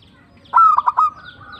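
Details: Local perkutut, or zebra dove, gives a brief tumbak cucukan phrase: a loud rising coo and three quick stuttering notes, then a soft trailing tone.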